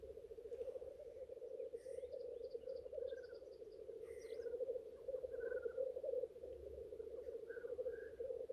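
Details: Male black grouse gathered at a lek in courtship display, giving a continuous low rolling, bubbling chorus that pulses slightly in loudness, with scattered short higher chirps and squeaky notes from other birds above it.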